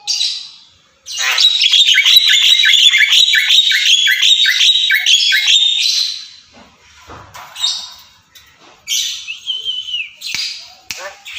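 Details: Pet Javan myna chattering in a fast, steady stream of harsh grating notes, close to three per second for about five seconds, then a pause and scattered squeaks, rasps and a sliding whistle.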